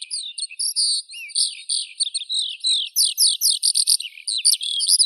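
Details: Eurasian skylark song: a continuous, rapid stream of high warbled and trilled notes, with fast chirping runs and brief breaks, and no other sounds.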